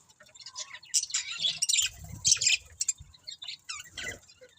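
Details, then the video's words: Budgerigars chattering in bursts of sharp, high chirps and rapid scratchy warbling, pausing briefly between flurries, with faint low knocks underneath. "Cute Budgies Chirping Sounds"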